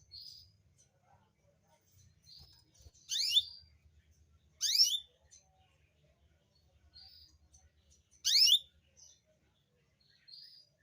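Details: Canary song meant to bring reluctant females into breeding condition and readiness to mate: sparse phrases of steep, loud downward-sweeping notes every few seconds, with softer high chips between them over a faint low hum.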